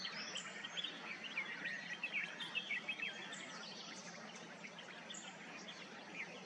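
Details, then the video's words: A red-whiskered bulbul sings quick, bright chirps and short whistled notes, about two a second, over a busy hiss of other birds and background noise. "Bulbul singing/ Indian Bulbul bird/ Red-whiskered singing"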